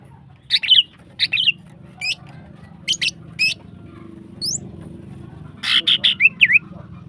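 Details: Energetic female greater green leafbird song used as a lure for other birds: scattered sharp chips and quick high upslurred whistles, ending in a dense run of warbled notes, over steady low background noise.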